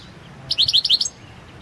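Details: Balkan-subspecies European goldfinch (balcanica), singing for the 2022 World Championship in goldfinch song, competition entry 006/22, gives a brief burst of roughly six rapid, sparkling high notes, then silence.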